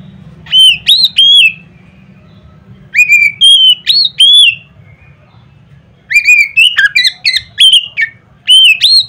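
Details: Oriental magpie-robin giving a loud song meant to provoke other magpie-robins into singing: bursts of clear, ringing whistled phrases, some slurred and rising, with short gaps between groups and a faint low hum underneath.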